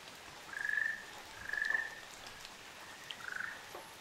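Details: A pair of Ruddy kingfishers on Amami Oshima, Japan, calling: three rolling, pulsed trills, each under a second, fairly level with a slight rise, repeated roughly every second, against a constant soft hiss.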